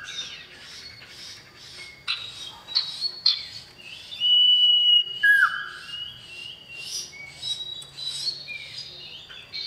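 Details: Male common iora, a yellow bird with blackish-brown feathers, calling a female. Loud, varied bursts of chirps and whistles, including long steady whistled notes and a lower falling whistle near the middle.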